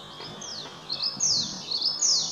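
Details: A song sparrow sings at Cranberry Lake, recorded 5 8 18, a brief burst of high, bright notes with quick slurred sweeps rising and falling in close succession, over a quiet background.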